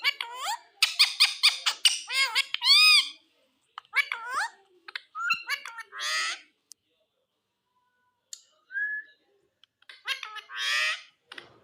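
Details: {'caption': 'Green Indian ringneck parrot talking, a fast run of bright, raspy, syllable-like notes followed by scattered squeaky phrases and a brief whistled note after a quiet gap.'}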